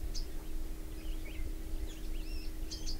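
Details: Bronze sunbird giving a mix of high thin chips and short twisting, warbled whistles in quick succession, ending with a pair of sharp high notes, against faint low background noise.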